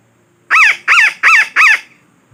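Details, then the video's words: Four strident, grating squawks from a parakeet, evenly spaced about a third of a second apart. This call is used as a lure for trapping. "Suara Pemikat Burung Betet"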